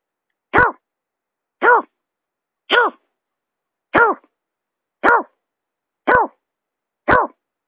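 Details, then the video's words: Buttonquail lure call: short hoarse, nasal notes, each dipping then rising, repeated about once a second, seven times, loud against a silent background. "suara pikat berkik"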